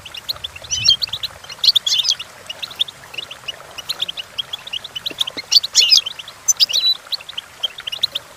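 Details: Goldfinch singing for training goldfinches to sing: lively rambling twitter of short notes, with louder jangling bursts around two and six seconds and soft chirps in between.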